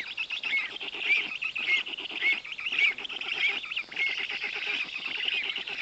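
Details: At a black stork nest in Noteć Forest on 18 June 2021, chicks fed large fish by their father give continuous scratchy pulsed chatter, overlaid by short rising whistled notes repeated about every half second.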